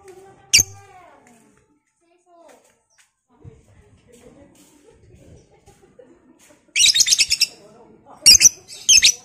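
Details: Lovebird of the Batman variety, played to provoke other lovebirds into long chattering (ngekek). A sharp click and soft murmurs come first, then shrill, dense, high chattering arrives near the end in three rapid bursts.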